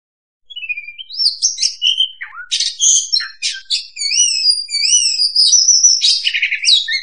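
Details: Oriental magpie-robin (kacer) trapping lure: after a brief silence, a steady stream of wavering whistles and harsh buzzy notes, phrases repeating rapidly at irregular intervals.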